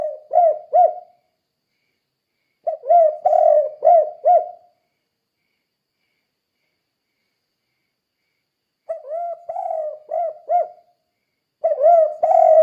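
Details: Steady 'kuk 2' cooing of a spotted dove, played to train other doves. Four spaced phrases of soft, low hoots, each with three to five short arched notes, and long quiet pauses between.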